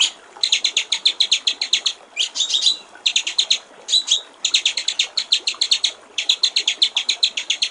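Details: White-rumped shama song in the clear 'gericik air' (water-trickle) style, a master recording for training songbirds: bursts of rapid high, buzzy repeated notes about eight a second, broken by short pauses and a few sliding whistles.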